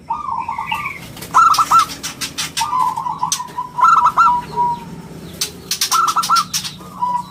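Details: Prolific local zebra dove singing in a round, crystal voice, kept as a lure and master for other birds: quick stuttered cooing phrases repeat about every two seconds, with flapping or rustling bursts and distant chirps between them.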